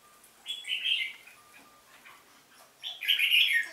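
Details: Red-whiskered bulbul competitive song, two bright warbled phrases about two seconds apart over a thin steady whistle in the background.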